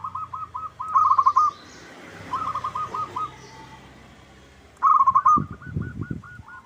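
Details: Local zebra dove lure call intended to make rivals answer. Clusters of rolling coos recur over a noisy background, and several low, dull thumps near the end partly mask the last phrase.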